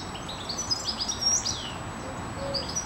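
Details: European goldfinches in a park in Aguadulce, Almería, Spain, recorded at midday on 24 April 2013: a rapid jumble of high twittering, tinkling notes and short buzzy trills, over faint background hiss.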